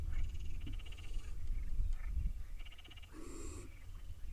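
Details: Barn owl nestlings tugging over a mouse at the nest: harsh, breathy hissing bursts alternate with raspy, buzzy calls, each about half a second long, over a steady low rumble.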